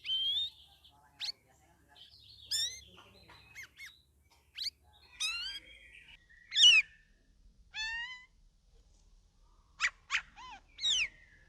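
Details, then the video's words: Vigorous (gacor) song of a captive Straw-headed Bulbul (cucak rawis) in its second week from a group holding cage: clear whistled upslurs, sharp notes and short fluty phrases, loosely spaced over eleven seconds. "CUCAK RAWIS DARI OMBYOKAN MINGGU KEDUA SUDAH GACOR"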